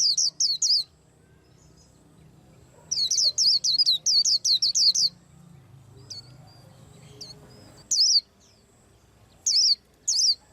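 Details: White-eye singing while preparing to moult: bursts of high, down-slurred whistled notes in quick runs of three, then a longer rapid series, with pauses between bursts and faint low background hum.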